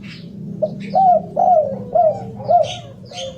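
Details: Spotted dove giving a close run of four or five loud, throaty arched coos, each rising then falling, about two per second. Occasional high twittering from another bird and a low background hum.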